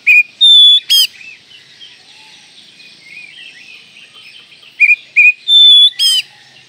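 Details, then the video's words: Oriental magpie-robin (kacer) singing in two short bursts of high, clear whistles and a sharp rising note, separated by several seconds of near silence. "Masteran Kacer Manjur"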